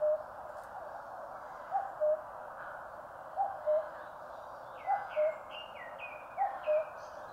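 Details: Steady cuck-oo calls from a common cuckoo in Korea's mountains, five in a row, each a higher note dropping to a lower one, accompanied by a series of another bird's downslurred whistles and a background hiss.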